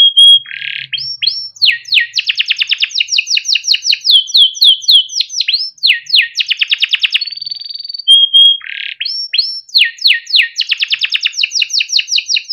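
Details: Long timbrado canary song for training: short whistles and rising swoops lead into many rapid rolling trills and choppy repeated notes, a level whistle at midpoint, then the pattern repeats.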